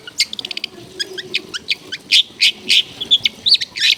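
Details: Long-tailed shrike in full energetic song, rich in mimicked phrases with a clear voice: rapid high chirps and buzzy bursts, short notes packed densely and irregularly.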